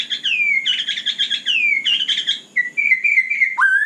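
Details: White-rumped shama singing at night: descending whistled slurs alternate with buzzy trills, then a run of steady wavering whistles ending on a sharp falling note.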